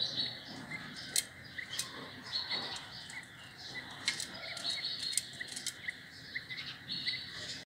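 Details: Grey francolin chicks eating mealworms as a treat, squabbling over worms: thin high peeps repeated irregularly, mixed with sharp clicking and tapping sounds.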